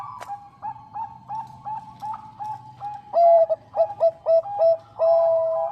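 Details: Bangkok-type zebra dove, female calling a male: softer repeated coos give way to a loud run of short, clear notes and a final drawn-out coo.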